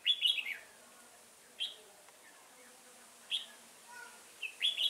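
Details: Red-whiskered bulbul recorded at a trapping session, 15 September 2018: loud, bright warbled phrases repeated at intervals of about one and a half seconds, quiet between bursts.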